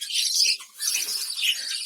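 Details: Budgerigars in a village colony breeding in clay pots, with chicks and eggs inside, keep up busy, high-pitched chirping and chattering almost without a break, with a short lull midway; several birds call at once.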